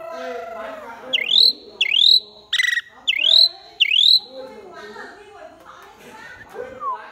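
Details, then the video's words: Pied myna song: four bright, sharply rising whistled notes in quick succession, with a harsh note among them, over a faint low background hum. "Chim cưởng hót cực hay"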